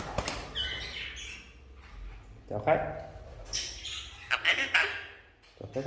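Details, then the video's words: Red-breasted parakeet that can talk, saying the Vietnamese greeting for guests: short harsh, speech-like phrases and squawks at high pitch, mixed with a person's voice repeating the greeting. "Vẹt Ngực Hồng biết nói"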